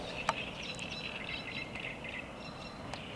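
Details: Eurasian reed warbler singing at Lake Czerniakowskie on 24 May 2021: a steady chattering run of short, scratchy notes that lies under a low background hiss, with a few sharp clicks.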